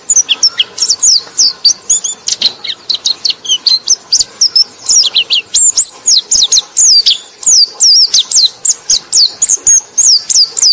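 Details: Sustained white-eye song played to attract other white-eyes, a long lively cascade of high-pitched whistles and down-slurred chirps repeated several times a second with hardly a break.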